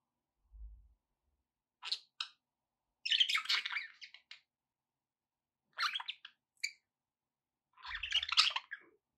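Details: Indoor pet budgies giving buzzy, rasping warbles and sharp chirps in separate bursts, with faint low thumps now and then.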